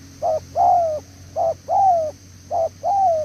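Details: Three paired coos from a newly caught spotted dove in the 'đèo lò xo' style, each a brief note then a long slurred downward coo, loud and clear against a steady whine.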